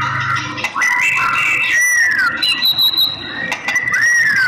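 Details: White-rumped shama, described as a female calling the male, used to stimulate male singing; clear whistled notes with falling slurs and a long steady tone near the middle, over a faint low hum.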